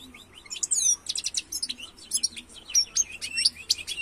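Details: Song of a European goldfinch, Carduelis carduelis: a continuous, rapid stream of high, tinkling twitters, buzzy trills and sharp chirps, packed with quick notes throughout and barely pausing.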